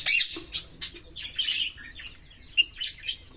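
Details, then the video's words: A pair of green Fischer's lovebirds chirping: a loud opening squeak followed by a string of short, shrill, scratchy notes spaced roughly a third of a second apart. "Lovebird Singing & Chirping Sounds"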